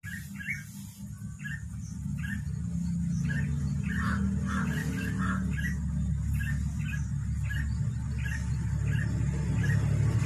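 A bulbul gives short, bright chirps about four times a second, each a quick rising-falling note, over a steady low rumble of background noise.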